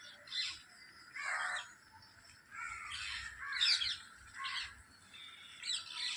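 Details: A group of parrots calls in a chorus of scratchy screeches and squawks, coming in separate loud bursts with quieter gaps between them.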